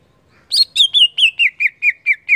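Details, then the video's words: Greater green leafbird singing in bold 'ngeplong' style to stir other leafbirds: nine clear, piercing whistled notes in a steady rhythm, starting high and stepping gradually lower, each ending with a short downward flick. "Cucak ijo gacor Ngeplong"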